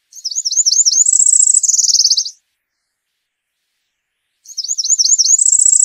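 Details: Cerulean warbler (Setophaga cerulea) singing: a quick run of slurred high notes rising into a thin, buzzy trill lasting about two seconds. After a pause of about two seconds, the song starts again. The recording is clean, with no other sounds.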